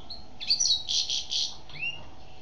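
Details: Female European goldfinch giving a short buzzy, rasping trill in three pulses, bracketed by thin high chirps, with a faint hum behind.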